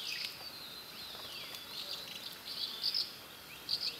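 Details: Asian house martin calling outdoors: short buzzy, high chirps given in small clusters, louder near the end, over a steady background hiss.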